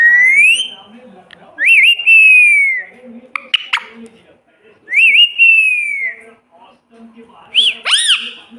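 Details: Repeated meow imitations by a parrot: three drawn-out whistled cries that rise then slowly fall, separated by clicks, with a final sharp upward squeal.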